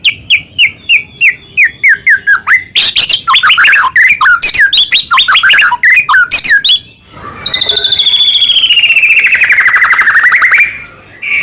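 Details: Energetic white-rumped shama song used as a lure for other shamas: repeated whistled notes, then a dense tumbling medley of rapid notes, ending in a long buzzy trill that slowly falls.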